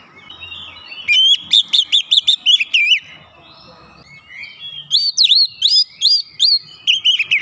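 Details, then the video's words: Oriental magpie-robin, provoked by a lure recording, singing agitated and insistent: loud clear whistled notes with sharp upswept and looping phrases, quick bursts of several notes, a pause near the middle, then renewed rapid phrases. "pancingan Kacer langsung keluar emosi ngotot bongkar isian"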